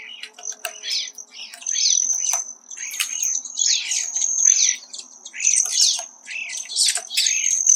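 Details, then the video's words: Close recording of a male Hairy Woodpecker working a suet cage at about 7,000 ft in Colorado's piñon-ponderosa woods: a steady series of sharp, clipped notes about twice a second, backed by a continuous high-pitched whine. "What a Hairy Woodpecker Sounds Like Up Close"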